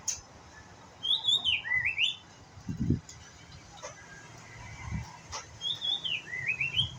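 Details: Young white-rumped shama learning to sing, giving clear whistled phrases that slide down and then climb in stepped notes, repeated twice with a pause between, with soft low thumps in the background.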